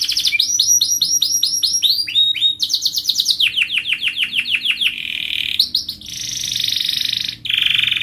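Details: Melodious rolling song of a canary: runs of quick downslurred high notes, shifting through several repeated phrases, then long buzzy rolled trills and a final high rattling roll.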